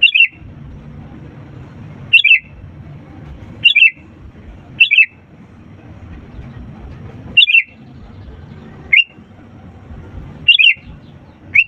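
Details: Sooty-headed bulbul in loud song for encouraging lazy birds to sing: eight short warbling phrases and single whistled notes spaced one to two seconds apart, with low steady background noise.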